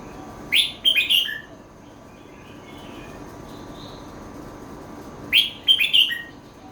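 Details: Red-whiskered bulbul giving its 'kuai chi hok' song phrase twice, about four and a half seconds apart, each a brisk cluster of loud, clear whistled notes falling at the end, with faint soft notes in between.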